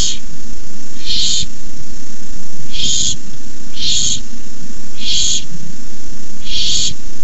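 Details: Barn owl owlets at a nest give harsh, breathy hisses in bursts every second or two over a steady low rumble, as an adult delivers a rabbit at 9:57 pm on 18 May 2015.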